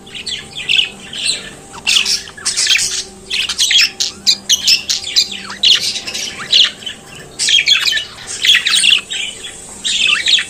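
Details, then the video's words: Budgerigar, a colourful Australian parrot kept as a pet, singing and chattering at length with bursts of harsh squawks, clicks and warbling whistles separated by short pauses. "Periquito Cantando e Conversando Sonidos de Periquito Australiano"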